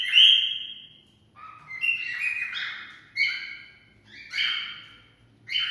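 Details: Cockatiel song to stimulate mating: a loud, long whistle followed by a chain of shorter warbling, slurred whistled phrases with brief gaps, fairly clean background.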